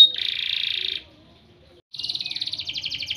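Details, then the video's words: Training song of a champion canary: one steady buzzing trill, a near-silent pause of about a second, then a fast rolling series of high repeated notes. "CANARY 'S SINGING VIDEO MOST POWERFUL SONG FOR CANARY TRAINING"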